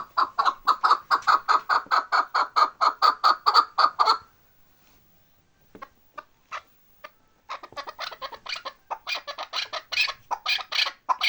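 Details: Chukar partridge in the Bartang valley, Pamirs: a rapid, even series of throaty chuck notes for four seconds, a brief lull with faint clicks, then renewed harsh, clustered clucking building in intensity.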